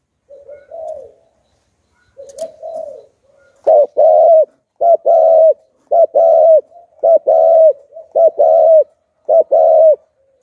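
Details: Spotted dove used to lure wild doves, Hạp Bổi style: soft opening coos, then a rhythmic run of about nine paired hooked coos repeated roughly every 0.7 seconds, clear against silence.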